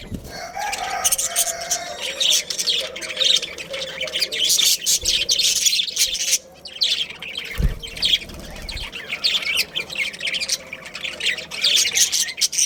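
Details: A budgie breeding pair warbles and chatters continuously in scratchy high notes with squeaky chirps, and a thump sounds partway through.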